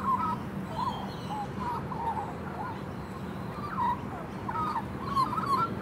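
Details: A juvenile female magpie, apparently happy, sings a soft, rambling warble of short fluty and slurred notes, some rising and some dipping, over a low steady hum.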